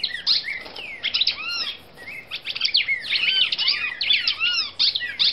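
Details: Singing female red-crested cardinal from Brazil: fast, looping high whistled notes with down-curved slurs, delivered in two lively bursts separated by a brief lull.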